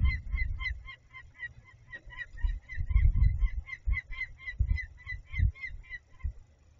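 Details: Peregrine falcon screaming while a buzzard briefly visits, Barycz Valley, Poland, on 11 February 2021; steady run of sharp, harsh repeated kek notes, several per second, over loud low wind rumble.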